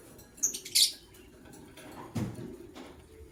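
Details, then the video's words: White lovebird of a matched pair in the morning, giving two short shrill chirps close together near the start, then quiet room noise with a soft low thump. "White LoveBird Chirping Sounds"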